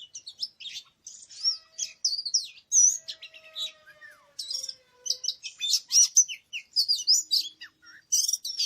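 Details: Wild Oriental magpie-robin in forest, recorded 24 March 2017 while bird trapping, pouring out loud continuous song of varied clear whistles, rapid chirps and trills with brief gaps; a faint lower drawn-out whistle runs beneath the middle part.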